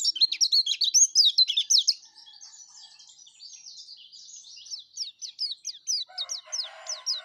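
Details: Yellow-breasted white-eye song used as a lure for other white-eyes: a dense burst of high twittering, then a softer run of notes, then sharp downslurred chips repeated quickly, with a faint lower chatter near the end.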